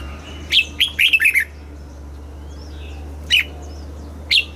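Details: Red-whiskered bulbul kept in a cage in Thailand sings a rapid warbled phrase of several whistled notes, then two isolated sharp whistles, over a constant low electrical hum; southern master style.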